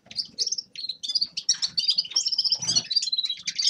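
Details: Quick jangling twitter from a grey-crowned goldfinch, bright high notes tumbling together with brief buzzy elements and soft low thumps underneath.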